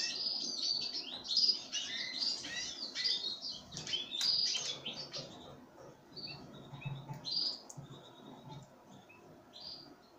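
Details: Pine grosbeak taking sunflower seeds: scattered, irregular bursts of high chirps, some louder and some faint, with pauses between them.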